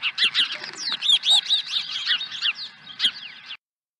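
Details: Osprey at a ranch nest with a fish in late April, giving a fast series of high, arched, whistled chirps that fade out after about three and a half seconds.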